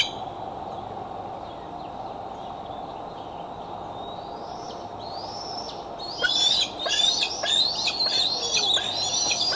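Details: Bald eagles coming and going at the Decorah nest on 6 July 2011, caught by a nest camera: constant background hiss, faint high whistles, then a burst of rapid, piercing whistled notes with downward slurs.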